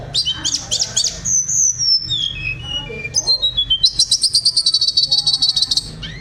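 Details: Tledekan songbird acting as a 'vocal teacher' sings buzzy high trills and descending slurred whistles, then a fast evenly repeated chip series near the end, with a steady background hum.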